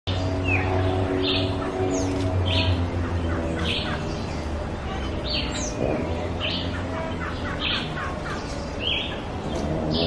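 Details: Rose-throated Becard in Costa Rica, searching for food, giving short, high chirps, about three a second, some thin and slurred, over a steady low hum.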